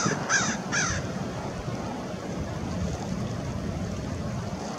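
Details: American oystercatchers recorded at Fort Monroe, Virginia, March 15, 2019, giving two sharp, ringing whistled notes in quick succession, then only continuous low surf and wind noise.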